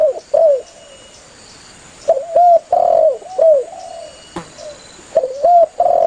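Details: Vigorously calling spotted dove summoning its companions, a recording played to attract doves for hunting; mellow cooing notes in clustered phrases, each coo swelling then falling away, repeated after short gaps over a faint background hum.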